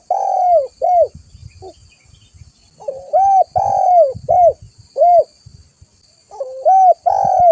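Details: Vigorously calling spotted dove (tekukur), a lure and tutor recording: steady series of rich, hollow coos, each note swelling and falling, some phrases opening with a softer rolled lead-in, with faint low rumbling underneath.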